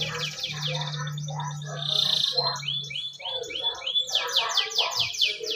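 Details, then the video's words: Canary song to prompt a pet canary: dense rolling trills and rising whistled notes over a steady low hum, ending with rapid repeated descending buzzy sweeps. "Audio kicau kenari, sangat cocok buat pancingan kenari kesayangan anda"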